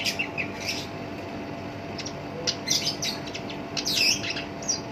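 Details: Kept Black-browed reed warbler singing vigorously in a rough, harsh voice, its song used as a lure for other songbirds: quick clusters of sharp, high chattering notes with short gaps between them.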